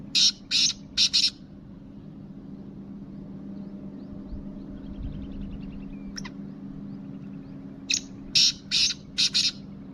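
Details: Black francolin, a Kabotra kala teetar, gives a burst of three harsh, grating notes, then a pause and a second group of four rasping notes, over a steady low electrical hum.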